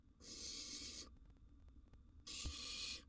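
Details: Wild barn owl nestling in a monitored nest box at mealtime, a sizeable gerbil brought as food; two long harsh hissing screeches, each about a second, separated by a quiet gap with faint thumps.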